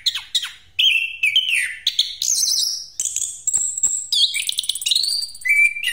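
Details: Orange-headed thrush singing a continuous rolling song used as a lure for other birds: a rapid run of varied whistled and slurred phrases, sharp chirps and buzzy trills shifting in pitch with hardly a pause.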